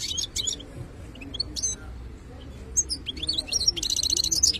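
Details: Wild-caught European goldfinch song opening with scattered bright chirps, a brief quieter gap, then quickening tinkling twitters that end in a harsh buzzy rattle, over a faint low rumble.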